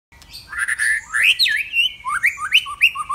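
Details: A White-rumped shama sings loudly: a rich, varied phrase of clear whistles sweeping up and down between rising notes and quick chirps, with little else heard.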